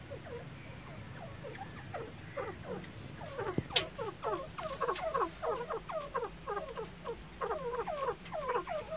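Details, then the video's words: Francolin kept for calling contests, in a lively mood, giving a rapid run of short downward-sliding notes, soft at first, then louder and packed closer together from the middle on, over a steady low hum. "White Teetar Ki Awaz"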